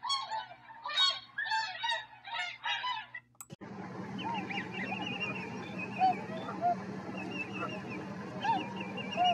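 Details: Tundra swans at Rosedale and Munson, Drumheller, Alberta, Canada: five or six loud honks in a steady series, then a sudden burst of rushing noise under which distant swans keep calling faintly.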